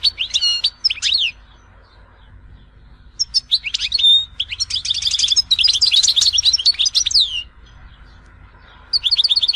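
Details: Bursts of European goldfinch song from Tizi Ouzou, loose groups of sharp high chirps and dense trilled twittering separated by pauses, over constant low background hum.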